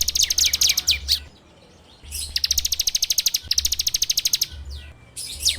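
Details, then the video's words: Ciblek (bar-winged prinia) lure song for training birds, 'ngebren' style, captured on an Android phone: fast, machine-gun trains of high metallic notes lasting about two seconds each, separated by a short quiet gap, over low hum. "PANCINGAN SUARA CIBLEK TERBAIK FULL NGEBREM RAPETT!!!"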